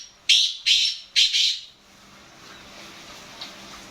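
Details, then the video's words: A black francolin delivers three harsh, raspy notes close together, then falls silent against a faint background hiss. "Black Francolin Calling"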